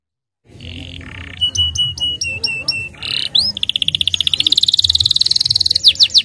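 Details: Starblue canary singing to lure young canaries into song and rolling, moving from buzzy notes and repeated upswept whistles into a long fast rolling trill, with low background hum.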